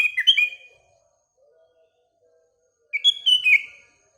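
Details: Sooty-headed bulbul in the morning among surrounding birds: a clear, chortling whistled phrase of tumbling notes, quiet low tones in the gap, then another similar phrase of rising and falling whistles.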